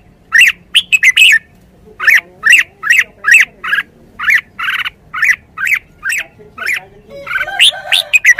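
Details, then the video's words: Red-whiskered bulbul: a long, fast series of loud, harsh, chattering chirps repeated more than once a second, ending in a denser burst of mixed warbled notes. "นกกรงหัวจุก 482 จ้าวคำหมาน ริก ริก ริก คึก คึก คึก"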